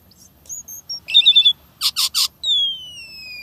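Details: Short snatch of Asian pied starling song: thin high whistles, a rapid buzzy trill, three harsh rasping notes and a long smooth downslurred whistle.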